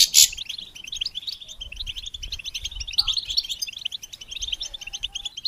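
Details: Goldfinch twittering used to stimulate and train songbirds: a sharp click at the start, then unbroken quick high chirps and trills over faint low noise.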